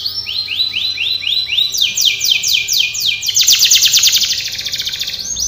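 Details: A Belgian canary's training song: high, bright tours of slow arched whistles, then faster repeated notes, ending in rapid rolling trills, with a faint hum behind.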